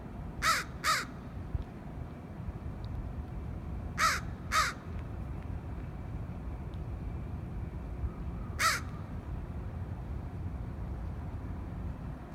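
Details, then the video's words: Crow cawing: five short, harsh caws, two quick pairs and then a single call, separated by several seconds of low rumbling background noise. "Sound of Crow Caw Caw Caw"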